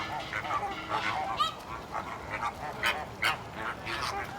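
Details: Zoo flamingos in Massachusetts (Stone Zoo) honk in a steady, uneven run of brief nasal calls, roughly two or three per second, several birds overlapping like a gaggle of geese.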